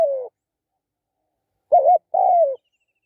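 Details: Spotted dove: the tail of one falling coo, a long pause, then a full pair made of a quavering short note and a longer, downward-sliding coo.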